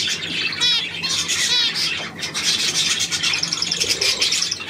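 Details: Budgerigars recorded 9 February 2024: two loud, ringing squawks early on, a raspy rubbing passage, then quick repeated high chirps toward the end.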